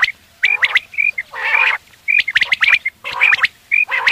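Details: Quail calling for a morning hunt, with quick clipped whistles mixed with rough, squawking bursts in an uneven rhythm; several notes overlap closely.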